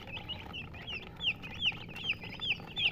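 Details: Coloured chickens chirping: clear, high, downward-sliding peeps repeated about every half second, with fainter overlapping chirps from other birds behind and a low steady hum underneath.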